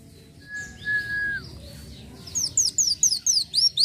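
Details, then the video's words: Van Hasselt's sunbird in gacor isian song. A long flat mid-pitched whistle and soft warbles come first, then a burst of loud, high, sharply rising chirps in quick succession. "masteran burung kolibri wulung (Kowul) gacor isian"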